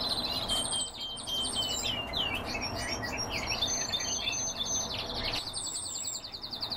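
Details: European bee-eaters (Merops apiaster) give rolling, burry 'prruip' notes, several birds overlapping in quick succession, over thin high whistles and steady background hiss.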